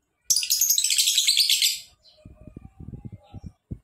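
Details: Lovebird giving a long ngekek trill: a dense, rapid, shrill chattering burst of about one and a half seconds, followed by soft low tapping and knocking sounds.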